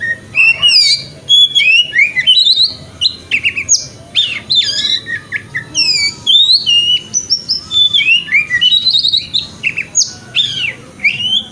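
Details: Oriental magpie-robin (kacer) lure song, 'wikplong' style, played in the morning to encourage the bird to spread its tail. Energetic, rich whistling with sharp upward and downward sweeps, delivered in short clustered phrases throughout.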